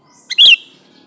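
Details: Sooty-headed bulbul, a natural recording used to lure wild bulbuls: a single short, harsh chirp with a sharp bright burst lasting about a quarter second, otherwise quiet.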